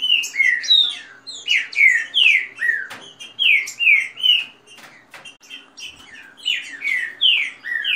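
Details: Rapid song from a Green-winged saltator among competing kept birds, with female calls and rain song: steady series of loud slurred whistled phrases, a brief quieter gap near the middle, then more clustered phrases.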